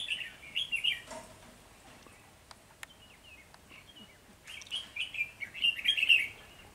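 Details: Early-season trapping scene, 3 November 2020, with a decoy red-whiskered bulbul: clear chattering whistled phrases open the recording, then a quieter pause with a few clicks, and a rich run of warbled notes follows.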